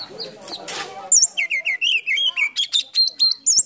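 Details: An Oriental magpie-robin (kacer) in full song spreads its tail in a cobra-like pose. After a soft, noisy start comes a rapid run of loud, sharp, looping whistled notes, about four per second, some high and some lower.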